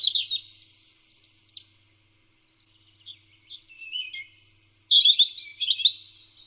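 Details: European robin singing in the UK on 2 May 2020, one of three or four robins heard all day; high, thin warbling phrases, tinkling and wavering in pitch, broken by brief pauses before a brighter closing burst.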